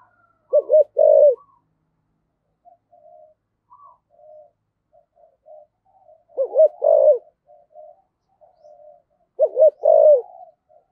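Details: Spotted dove decoy calling in the 'thổ sấm' style: three low hoot-and-coo phrases spaced several seconds apart, with soft scattered twittering from other small birds between them.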